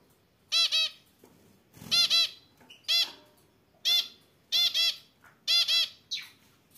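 A zebra finch sings nasal, buzzy notes in short bursts, often doubled, about once a second.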